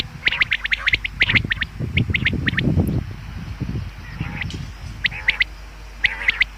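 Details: Common quail heard for hunting purposes: short sharp notes in triplets, repeating, partly covered mid-way by low rumbling noise, with a soft buzzy call before the final groups.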